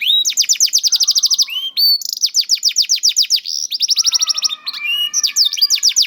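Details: Caged juvenile canary singing as a prompt for silent canaries: fast, high trills of short downstrokes in several tours, with lower faint warbles beneath in places.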